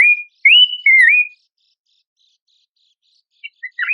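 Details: Horsfield's babbler song used to tutor contest birds: three loud, clear whistles, the first flat, then two rising and falling slurs, followed after a long pause by a few faint short chirps.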